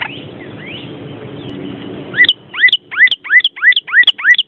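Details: A Vermilion cardinal sends out a quick series of short upslurred whistled notes, about three each second, after a couple of softer rising notes over low background noise.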